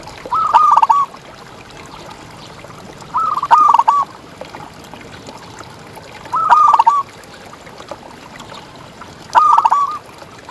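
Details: Local zebra dove (perkutut) in song, a contest bird recorded as tutor for quiet doves; four short bubbling cooing phrases of quick stuttered notes, evenly spaced about three seconds apart, over steady low hiss.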